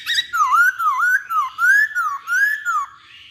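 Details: Chinese hwamei in lively song: a chain of loud, clear whistled notes, each arching up and down, repeated about twice per second with short gaps.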